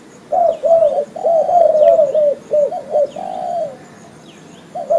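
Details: Spotted dove lure call: a male delivers a rapid string of gravelly coos, short notes leading into a drawn-out falling phrase, then a pause; thin high chirps of small birds faintly behind.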